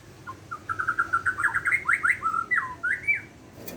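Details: White-rumped shama of the Borneo form singing in the morning: a quick run of clear whistled notes climbing in pitch, then sliding and down-swept phrases over about three seconds, over a faint low background hum.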